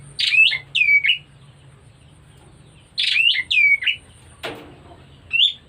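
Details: White-rumped shama in breeding condition, two matching bursts of loud whistled slurred notes several seconds apart, a sharp clatter, then one brief whistle, low hum behind.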